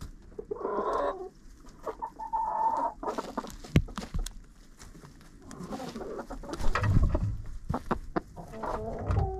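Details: Several chickens inside a coop, with a GoPro among them: tonal clucks and a longer crooning call early on, then heavy thumps, scratching and bumping close to the camera, with quieter clucks at the end.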